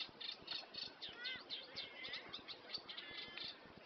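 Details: Reed warbler coming from the reeds at Cosmeston Lakes, very noisy: a faint, continuous chattering of quick scratchy and whistled notes, repeated several times a second, with fluting bits mixed in and no pauses.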